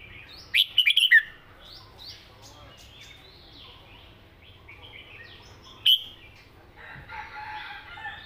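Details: Red-whiskered bulbul singing a southern Thai-style song phrase: a quick burst of four or five clear whistled notes near the start, one sharp note later, softer chatter between.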